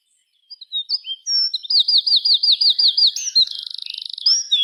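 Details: Birds chirping in the afternoon at dusk, with thin rising whistles leading into a quick steady run of about eight bright chirps, then a dry buzzy rattle and a final slurred note.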